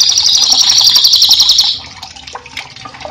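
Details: Whiskered Treeswift training song for cage birds: a loud, high, rapid trill for under two seconds, fading into soft running water and scattered chirps.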